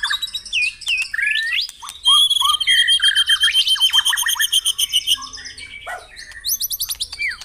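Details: White-rumped shama song to stimulate caged birds at morning dewing: curling whistles, then a long loud rattle of rapid repeated notes, ending in chirps and quick descending whistles.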